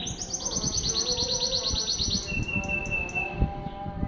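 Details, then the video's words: Canary from Banda Aceh singing a masteran-style song: a fast, even trill of bright repeated notes for about two seconds, then a long, steady high whistle, over a constant low rumble. "Kenari Masteran"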